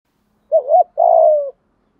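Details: One spotted dove coo phrase, from a male and female pair kept for decoy training: two quick rounded hoots, a brief gap, then a long, slightly buzzy falling coo, with a clean, quiet background.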